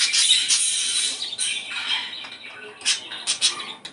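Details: Budgerigar singing to stimulate breeding, starting with a long harsh scratchy phrase, then fading into quieter chatter broken by a few loud clipped chirps.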